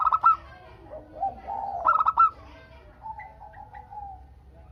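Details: Local-strain zebra dove (perkutut), singing actively, used to prompt other doves to call back. Two bursts of quick, rolling, staccato coos, then a softer, lower, drawn-out cooing trill fading toward the end. A low background hum runs throughout.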